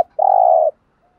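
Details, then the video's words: Single long, steady, low coo from a spotted dove, from male and female cooing used to stimulate a trained bird, followed by silence. "tiếng chim cu gáy kích bổi mới rất hiệu quả"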